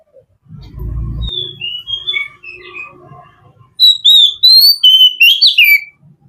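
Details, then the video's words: Oriental magpie-robin (kacer) in relaxed song: muffled low sounds and a few faint whistles open the clip, then a loud burst of rapid, varied whistled notes with sharp upward and downward slides. "Kicauan Kacer Santai"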